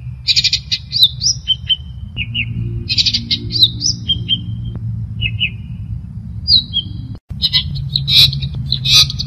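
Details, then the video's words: Long-tailed shrike, locally called cendet, singing in full voice (gacor): bursts of high, varied chattering and whistled phrases with short pauses, some notes sweeping upward, over a steady low hum. "Suara Burung Cendet | Gacor"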